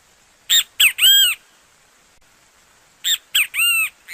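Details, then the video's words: Great kiskadee (bentivi), a Brazilian bird, singing: two three-part phrases about two and a half seconds apart, each two short harsh notes followed by a longer, drawn-out, arched note, over a quiet background. "efeito sonoro de bentivi - sound effect of bentivi"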